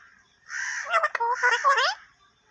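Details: Talking parrot uttering one continuous speech-like phrase of about one and a half seconds, with voiced, word-like syllables and sliding tones, in a quiet indoor setting.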